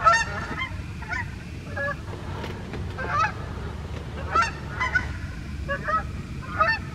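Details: Morning flight of wild Canada geese in the USA: repeated loud, nasal honks overlapping from several birds, arriving in clusters about every second against low rumbling background noise.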